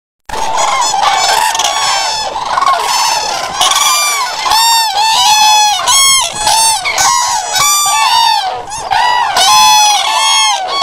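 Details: Common cranes in a calling group: loud, trumpeting, harmonic-rich calls overlap continuously, each call bending slightly up then down, with many voices layering into a dense, ringing chorus for about ten seconds.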